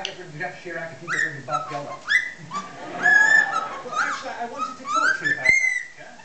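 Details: Six-month-old pet cockatiel whistling bits of mashed-up tunes with clicks and some talking: bright whistled notes sweeping upward and sliding, harmonic squeaky phrases in quick succession, with background noise from an accompanying racket.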